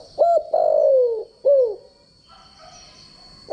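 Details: Spotted dove decoy voice used in training: a short coo, a long slowly descending coo and a curved shorter note, then quiet with a constant high whine.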